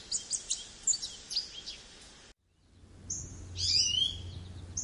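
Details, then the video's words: American goldfinch giving high, rapid twittering notes, then a brief silent cut followed by longer buzzy slurred notes with low rumbling background noise. "American Goldfinch Call | American Goldfinch Singing | Goldfinch Sounds"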